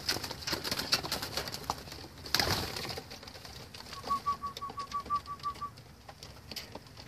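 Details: Red bar homing pigeons kept for racing; after a loud rustle, a run of about ten short, even, arched peeping notes follows in quick succession, over steady background scratching and shuffling.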